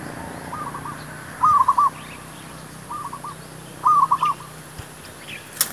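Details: Zebra dove song used to lure wild doves for trapping: soft cooing phrases of quick stuttered notes, repeated in four bursts, over steady low background hum.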